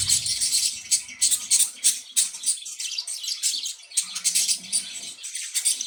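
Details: Playful, happy budgerigars chattering rapidly: fast bursts of high, scratchy chirps, about three per second, in a steady busy stream, with a faint low hum.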